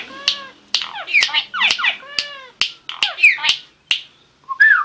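A starling sings a jumbled run of sharp clicks, falling harmonic whistles and chattering notes in quick, irregular bursts, with short pauses between phrases.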